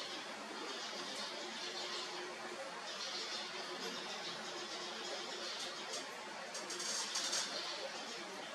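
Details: Steady broadband hiss filling an indoor space, with faint murmuring and no animal calls.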